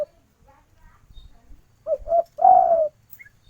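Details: Spotted dove female calling for a male, giving two quick low coos followed by one long, smooth, gently descending coo. Faint soft murmurs sit under it before the phrase begins.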